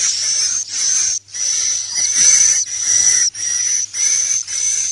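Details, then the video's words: Swiftlet roosting lure call ('inap plus') for indoor playback: high buzzy, wheezy chirring phrases with a whistled overtone and lower twitter, repeated about once per second with brief gaps. "SUARA BURUNG WALET🐦 INAP PLUS"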